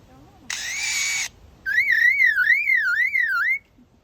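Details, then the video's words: An Australian lyrebird gives a harsh, hissing burst followed by a loud wavering whistle that rises and falls about four times a second, like a siren. "The Australian Lyrebird making funny sounds to me."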